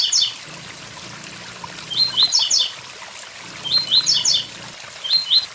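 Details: Blue-black grassquit, known locally as tiziu, singing beside a waterfall: short buzzy phrases of rising and falling notes around the mid-high range, repeated every few seconds, with high ticking notes between and steady rushing water behind.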